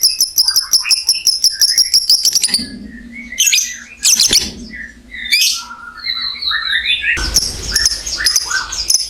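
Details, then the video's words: Caged lovebird in ngekek style, a long trill meant to stimulate other lovebirds; a fast rattling burst opens, followed by harsh squawks, broken buzzy notes and a second rough chatter near the end. "SUARA BURUNG LOVEBIRD NGEKEK PANJANG"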